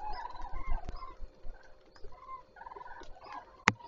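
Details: Common cranes beginning the day at Zastawie reservoir on 14 September 2023, giving a few bugling calls and short trumpeted notes, with a sharp click near the end and a constant low hum.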